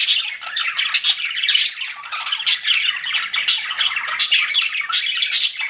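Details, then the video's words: Pet budgies chirping together indoors, a dense, continuous chatter of buzzy, scratchy warbles and short sharp chirps, unbroken for the whole stretch. "CUTE PET BUDGIES CHIRPING"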